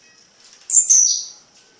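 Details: Tiziu, the blue-black grassquit, heard at night in Fragoso, Magé, Rio de Janeiro state, Brazil, giving a single sharp, buzzy, very high note that swells and then drops in pitch over roughly half a second, with a quiet background otherwise.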